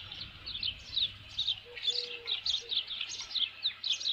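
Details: Osprey at a ranch nest holding a headless fish, midday on 27 June 2018; a fairly quiet run of sharp, high chirping notes over faint background rumble and a short low tone.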